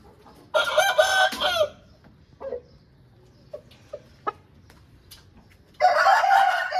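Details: An Aseel rooster (chicken) gives a loud, hoarse crow lasting about a second; a few soft clucks follow, then a second crow begins as the recording ends.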